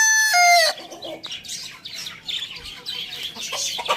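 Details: Rooster heard in the morning. The tail of a crow opens the recording as a strong harmonic note that bends downward and stops abruptly, followed by a steady backdrop of high, chattering chirps from many small birds.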